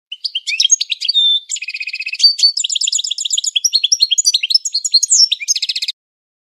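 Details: European goldfinch training song, classic singing: rapid, tinkling twitters and liquid trills, broken by buzzy, nasal rattling phrases, all high-pitched and continuous for about six seconds, then silence.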